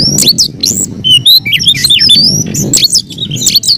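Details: Caged Oriental magpie-robin delivering a fierce fighting song of bright upslurred whistles, clipped notes and scratchy chatters over a steady low hum of background noise.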